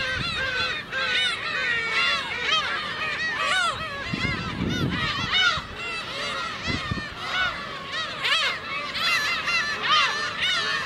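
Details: A dense chorus of many black-tailed gulls at Ōkuki, Hachinohe, Japan, on 9 June 2013, a sunny day with fog later, giving overlapping nasal mewing calls with rising-and-falling arcs over a low rumble of wind or surf.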